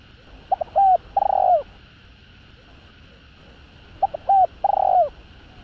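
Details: Spotted dove phrase repeated twice about three and a half seconds apart, each a pair of short hoots then a long falling coo, played to excite rival males; steady faint electrical hum underneath.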